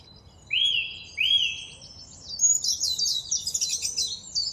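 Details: Song thrush singing a rising-then-falling whistled phrase twice, each about half a second, followed by a rapid, jumbled series of high twittering and chattering notes.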